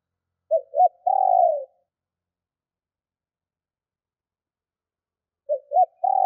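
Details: Female spotted dove luring wild males. Two quick soft notes lead into a long, burry, rolling coo. After about four seconds of silence the same phrase starts again. Background is clean.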